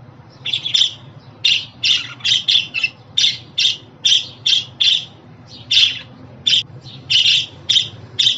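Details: Budgerigar calling sounds meant for pet male and female budgies: a fast run of clipped, scratchy chirps repeated roughly every half second, steady and busy throughout, over a low background hum.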